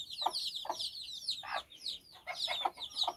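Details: A hen leads her nine chicks on a walk in Bizkaia, Basque Country, as they explore and play; short mid-pitched clucks sound every half second beneath a steady chorus of thin, high chick peeps.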